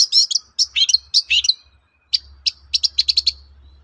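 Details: Lure song of a long-tailed shrike meant to make other shrikes respond: a rapid jumble of high warbled and twisting notes, a short gap, then a fast series of sharp, clipped chips.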